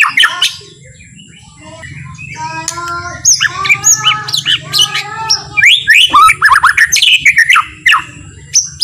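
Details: White-rumped shama, a slow, relaxed song used to provoke other shamas: quiet opening over a low hum, then stacked buzzy harmonic notes building into dense, fast varied whistles and sharp chips toward the end.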